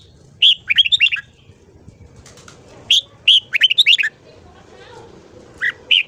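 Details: Red-whiskered bulbul morning song for voice training, bursts of fast bubbling warbled notes separated by quiet gaps, ending with two single chirps, soft rustling noise behind.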